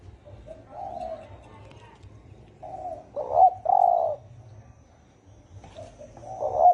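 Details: Hoarse-voiced 'thổ ồm' spotted dove calling to stimulate 'thổ đồng' doves: a series of low, throaty coos in broken phrases, soft at first, then louder rolling notes, with a final strong coo rising at the end over faint background hum.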